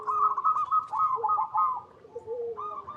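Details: Local Indonesian zebra dove, recorded in its natural habitat, singing to coax other zebra doves into song: rapid run of soft rolling coos, about three per second, dipping lower midway before resuming.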